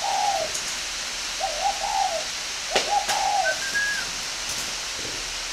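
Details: Spotted dove in a breeding aviary in Ba Vi, Hanoi, northern Vietnam, repeating mellow multi-note coo phrases, with a brief higher whistled note, a few sharp clicks and a steady hiss behind.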